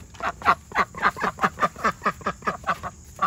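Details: Two domestic ducks quacking with excitement as their coop door is opened: a steady series of loud, nasal quacks at about three to four per second, evenly spaced throughout.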